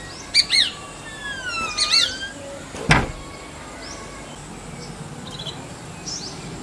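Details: Jerdon's leafbird male, Bengali name Horbola, giving clear melodious notes for courtship or territory: quick high chirps with sweeping whistled slurs early, a sharp knock midway, then scattered faint high notes.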